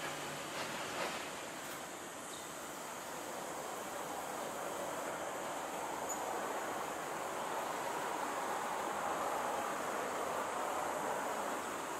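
Steady wind and rushing surf-like noise fill the recording, with no animal calls standing out.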